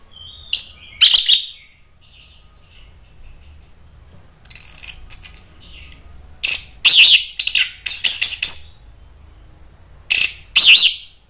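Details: Lure-provoked orange-headed thrush calling back: bright whistled tones and rapid rasping chips come in repeated bursts, growing louder and more frequent in the second half, with short silent gaps between groups.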